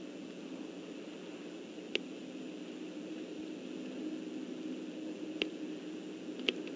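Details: Steady low hiss with a hum band throughout, broken by a few sharp, isolated clicks near two, five and six seconds.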